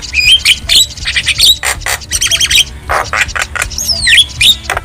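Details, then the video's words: Wild Javan myna singing in nature, a recording used to train caged birds: harsh squawks and buzzy bursts mixed with bright whistled notes and a sliding whistle near the end, steady low background hum. "Masteran Burung Jalak Kebo Jabo Jalbo Asli Alam Liar"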